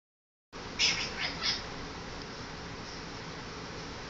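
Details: A pet monk (Quaker) parakeet gives three quick, harsh, high chirping squawks, then falls quiet against a steady background hiss.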